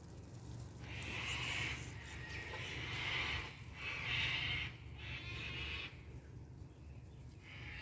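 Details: Wild cockatoos heard during a winter cherry tomato harvest, giving harsh, raspy screeches of about a second each, several in a row with brief gaps, over a steady low rumble.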